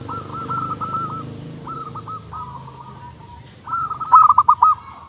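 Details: Local zebra dove singing a string of rolling, trilled cooing phrases, softer at first, ending in a loud burst of rapid staccato pulses; faint low hum behind.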